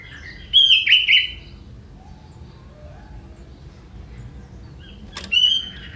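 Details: Song of a young wild sooty-headed bulbul from forest, filled with prenjak phrases. A loud whistled-and-twittered phrase comes first, then faint low whistles. A sharp click and a shorter whistled phrase end the recording.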